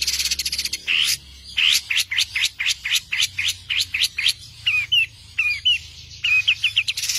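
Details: Long-tailed shrike master song for training songbirds: a fast series of sharp rising chirps repeated over a second apart, then hooked whistled notes and a final burst of rapid chips, with a low hum beneath.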